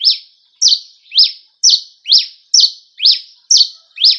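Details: Singing in the campina manner, a cravina from Rio Grande do Norte, Brazil, delivers a clean run of nine high, sharply slurred notes with short buzzy tails, spaced just under half a second apart.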